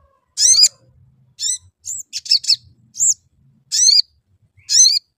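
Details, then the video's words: Sooty-headed bulbul lure chirping used to prompt another bird to sing: bright, sharp chirps and short twittering bursts, spaced roughly a second apart with uneven timing. "Cuit Cuit. Crecet. PANCINGAN AMPUH SOGON AGAR BUNYI"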